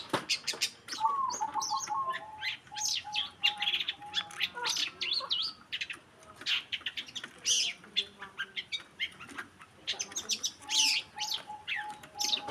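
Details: Long-tailed shrike, cendet, in a masteran recording: a rapid, varied stream of sharp chirps, trills and squeaky notes, with a low steady whistled note repeated in short pulses in the background.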